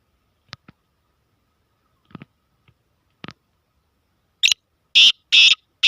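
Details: Black francolin, locally called kala tetar, calling: a few faint clicks and taps, then four loud, harsh, grating bursts in quick succession near the end, each about a third of a second long.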